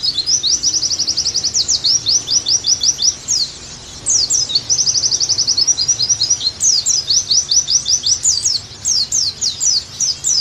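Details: Rapid, high-pitched Oriental white-eye song used as tutor audio: even buzzy trills of repeated notes alternate with sharp slurred chirps in long phrases, with brief pauses between them.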